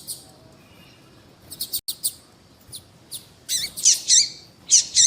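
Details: A female double-collared seedeater calls to stir up males: scattered thin high tweets give way to a rapid run of loud, bright chirps near the end.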